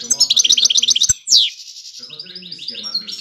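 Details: Five-year-old adult European goldfinch singing: a rapid run of bright, high twittering notes, a sharp downward-sweeping note, then softer twittering with faint low background murmur.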